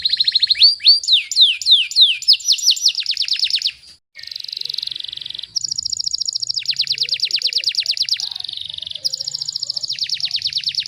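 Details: Rapid-fire 'tembakan rapat' canary song meant for tutoring birds at home: fast looping downward notes, a sharp break, then alternating high buzzy trills and rattling trill phrases with brief gaps.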